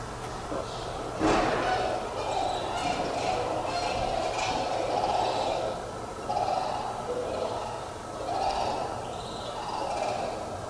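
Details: Sandhill cranes at a farm, present for a few more weeks before leaving until late next fall: loud, rolling, trumpeting calls in overlapping bursts every second or two, with a sharp knock early on.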